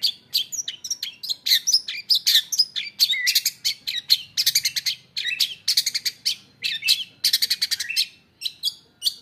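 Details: Newly bought caged long-tailed shrike singing energetically with filled-in isian phrases, a fast, nearly unbroken stream of high chattering notes, buzzy trills and quick whistled slurs that stops abruptly near the end.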